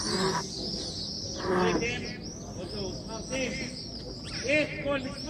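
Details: Swifts at the Western Wall give shrill, buzzy screams in a continuous high chatter during morning prayer, over murmured voices of people praying.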